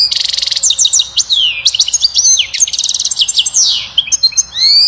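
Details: European goldfinch singing batbata song to excite a female to mate and build a nest; nearly continuous rapid twittering, buzzy trills and sliding notes, ending with a rising whistle.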